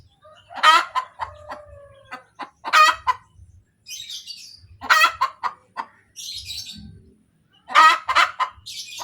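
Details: Domestic hen cackling after laying an egg: loud harsh squawks about every two seconds, each led by short clucks, with thin tonal whistles in between and faint low rumbling noise.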